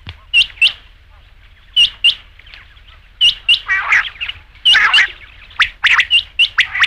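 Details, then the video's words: Rain quail (batair), a recording meant for night use and quail hunting: sharp paired notes, each pair a quick metallic double click, repeated at irregular intervals, with rougher buzzy bursts in the second half. "batair ki awaz raat ke liye | rain quail sound"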